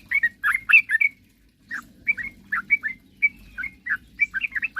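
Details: Yellow-vented bulbul in full song, used to get rivals singing quickly. An opening flurry of loud chirps, a brief gap, then a steady series of short liquid upslurred notes.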